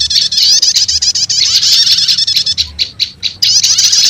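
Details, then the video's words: A lure for wild prinias that blends two prenjak call types: fast, high twittering chatter, then a run of short, spaced chips, then a return to dense trilling. "Suara Pikat Burung PRENJAK LUMUT Kombinasi Prenjak Setater"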